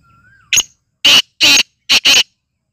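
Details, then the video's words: Black francolin calling excitedly in full condition: a sharp short note, then a grating series of four loud broad rasps, the last two joined. A faint whistle precedes it. "kala teetar ki awaz kala teetar ki masti ki awaz full mast kala teetar"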